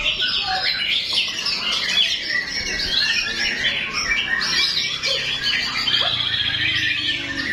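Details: White-rumped shama (murai batu) singing a full song: fast, busy stream of high whistles, chirps and scratchy notes, continuous and steady in loudness throughout.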